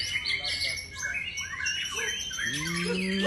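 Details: Champion white-rumped shama: dense run of bright whistled and chattering phrases, some sliding upward, packed together, with a low humming tone rising in and holding steady near the end.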